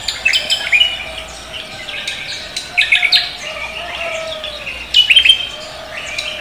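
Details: Javan green magpie in energetic morning song, 'koak kelapa' style: three clusters of rapid chirped and whistled notes, the loudest near five seconds, separated by quieter chatter.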